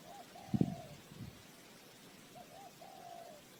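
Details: Spotted dove used as a lure bird for trapping, giving two soft cooing phrases, each a short note followed by a longer drawn-out falling coo, over low rumbling background with a dull thump near the start.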